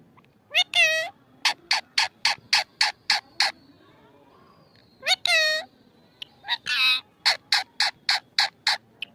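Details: Pet parrot vocalizing: short, high, harmonic squawk-like phrases alternate with rapid bursts of clipped, speech-like syllables repeated several times a second, in a quiet room.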